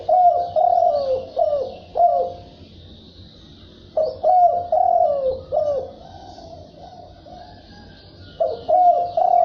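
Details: Spotted dove (cu gáy) cooing, thúc bổi and gáy gù style. Three phrases of three to five deep, falling coos are separated by quiet gaps. Faint high chirps and hiss sound in the background.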